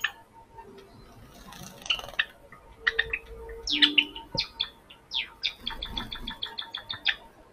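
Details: Java sparrow filmed on an action camera: sharp high chirps and clicks, at first scattered, then a fast run of evenly spaced bell-like notes near the end, over low background rumble and a faint steady hum.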